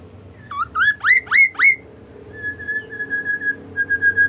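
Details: Kaso kaso bird in varied song, giving four rapid upswept whistles about a third of a second apart, followed by steady, flat, drawn-out whistled notes repeated over a faint low hum.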